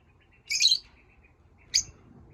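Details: Pet lovebirds chirping: two short, bright chirps about a second apart, the first a longer buzzy burst, the second a sharp single note, with quiet background in between.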